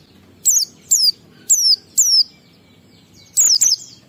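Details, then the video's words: Oriental white-eye in the 'ngalas' singing style, played to lure caged white-eyes into singing: high thin whistled notes sliding downward, four short phrases evenly spaced, then a pause and two more. "Pleci Ngalas 12345 AMPUH memancing Pleci bahan omyokan Cepat buka paruh"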